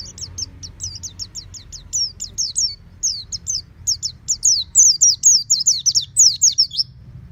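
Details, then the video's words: Home-kept oriental white-eye singing full and loud, beak open: a long string of quick, high, sharply slurred notes, steady at first then rising in volume into dense, bright trills, with soft low background hum. "Terapi Pleci Rumahan Agar Cepat Bunyi Ngeplong Full Buka Paruh"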